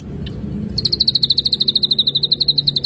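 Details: Brief lively song of an ashy drongo on a lure recording: one faint note, then a quick, very high, steady trill of clean pips about ten a second.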